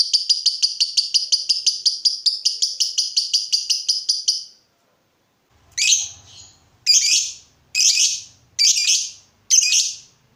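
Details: Lovebird recorded as a lure for other birds: a quick run of evenly spaced high ticking notes for four seconds, a pause, then five separate loud, harsh shrieks about a second apart.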